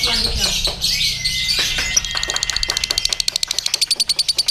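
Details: Lovebird hung up at a singing contest with a hired handler, giving its ngekek song: after a cluttered opening, a fast run of harsh chattering pulses builds, with thin steady whistles from other birds in the background.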